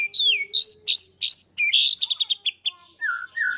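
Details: White-rumped shama singing 'gacor full tembakan': varied loud whistled phrases, some slurred downward, some clipped and rapid, over a faint steady low tone.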